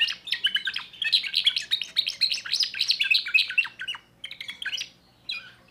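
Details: Young timbrado canary from 2024 in full song with a new repertoire: dense, rapid chirping and trills for about four seconds, then a pause and a few short closing phrases.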